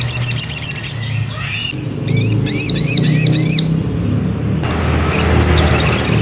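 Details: Ruby-cheeked sunbird singing as a lure to provoke another bird: fast high twittering, a brief gap, then a run of repeated sharp swooping notes about five per second, more twittering bursts, low background hum throughout.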